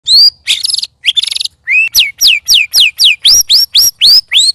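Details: White-rumped shama, one of three birds sparring together, giving strange, loud sounds: a long whistle, two buzzy harmonic bursts, then a fast run of sharp downslurred whistles, about four a second.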